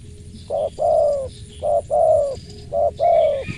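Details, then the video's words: Close, clear-voiced spotted dove giving three two-part coos, a brief note then a longer drawn coo. They are evenly spaced about a second apart. Soft high calls of other birds sound in the background. "TAPAU TEKUKUR SUARA MERSIK"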